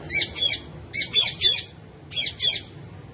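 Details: Male ringneck parakeet, a pet that talks and dances and shares its home with other parrots, screeches in loud harsh bursts, mostly in pairs, roughly one per second.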